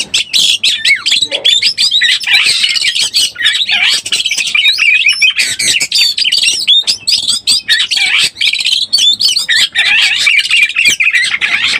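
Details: Lure call of an Oriental magpie-robin in breeding condition: a long nonstop torrent of rapid chattering, scratchy notes and thin twisting whistles, dense and loud throughout with only tiny gaps.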